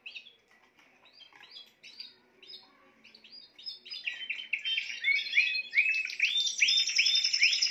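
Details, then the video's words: Spanish timbrado canary song that starts with soft scattered chirps and builds into a loud, fast rolling trill of repeated rising notes, about two to three per second. "chant des oiseaux timbrado espagnol"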